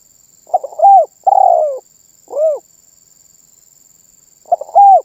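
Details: Spotted dove singing its 'manggung' coo, said to bring other birds into calling. A complete phrase of stuttered notes, a long sliding coo and a short final note, then the stuttering opening of the next phrase after a pause.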